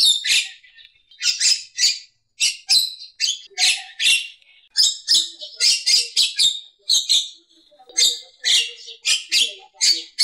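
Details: Champion Javan myna singing in a style recommended for tutoring cage birds: rapid grating, rasping notes packed into dense clusters, each burst under a second, with brief pauses and occasional softer low tones.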